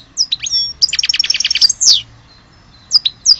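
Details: European goldfinch, Algerian type, singing: a few upslurred chirps, then a rapid rattling trill of about a dozen notes ending in a descending sweep, followed by scattered tweets.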